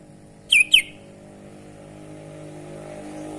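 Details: Unusual sounds from an actively singing sooty-headed bulbul: two loud, crisp descending chirps in quick succession about half a second in, followed by quiet with a soft engine drone.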